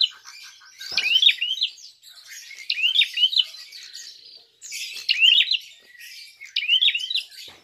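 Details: Prinia giving a fighting call, played as a lure to provoke other birds: bright, sharp, high chirped phrases of quick zigzag notes, repeated about every one and a half to two seconds over a faint buzzy hiss.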